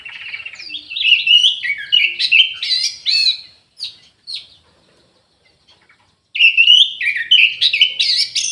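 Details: Orange-headed thrush (anis merah) singing vigorously in an aviary: rich, varied warbling phrases of sliding whistles and quick trills, a pause of about two and a half seconds, then another fast, tumbling burst.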